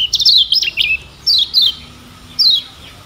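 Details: High sweet twitter of a lemon-bellied white-eye from Lombok, Indonesia, a tutor song for training birds. A quick tumbling phrase is followed by three separate descending chirps.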